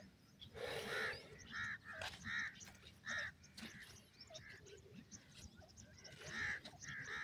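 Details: Francolins, a pair of Dakhni teetar and Irani teetar: loud harsh grating notes near the middle of the range, given in short bursts about every second, with a steady low rumble of background noise.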